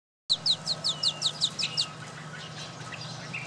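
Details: Northern mockingbird in Texas, possibly female, singing after a gentle rain: a rapid run of about nine high, down-slurred chirps, five per second, then softer notes over a low steady hum.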